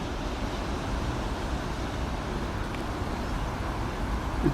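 Steady road traffic rumble with passing vehicles and no animal calls.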